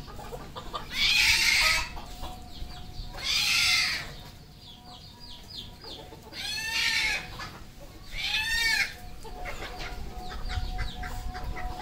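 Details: Red junglefowl kept on a farm in Cambodia: two loud, hoarse, drawn-out calls, then two shorter arching, ringing calls, with small birds chirping faintly and a steady low hum throughout.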